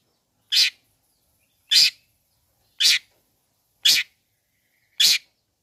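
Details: Long-tailed shrike lure sound meant to agitate other shrikes: five loud, harsh, noisy rasps, each brief, spaced about a second apart, with nothing else audible.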